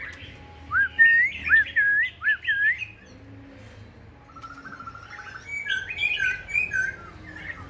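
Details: A tame Black-throated laughingthrush sings two bursts of rich, warbling whistles, the first loud and rising-falling, the second softer and chattier, over faint hiss; it sings all day, alone without a female, on a very cold day, while dueling another bird.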